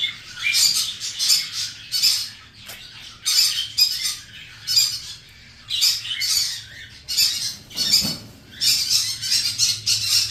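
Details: A lutino cockatiel breeding pair gives harsh, high screechy squawks in bursts, repeated irregularly with short pauses between.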